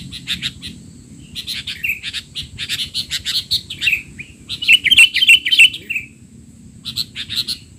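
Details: Frantic sooty-headed bulbul chatter, recorded to tutor untrained young bulbuls: dense rapid chirps with slurred whistles, a loud stuttering run of sharp notes near the middle, then a short pause and a final burst.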